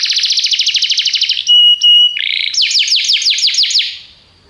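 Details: Canary song used for training: rapid trilled phrases of repeated notes, then a steady whistled tone near the middle, followed by a series of descending sweeping notes, all high-pitched and loud.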